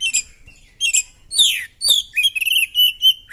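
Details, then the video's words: Oriental magpie-robin with its tail spread in a fighting display, delivering rich song: raspy high bursts and sweeping slurred notes, ending in a rapid run of bright whistled trills. "Burung kacer gacor!!kacer tarung buka ekor bongkar materi"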